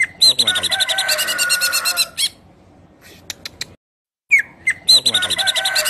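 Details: Greater green leafbird in lively full song, a dense run of varied rapid chirps, trills and whistled notes with a brief pause midway, some fainter chirps in the gap, then the song resumes with a falling whistle.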